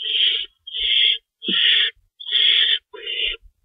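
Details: Owls at a nest at feeding time, 3:53 AM on March 25, 2012, with two rabbits stored in the nest: five harsh, hissing screeches about half a second long, separated by short silences, with faint low thumps.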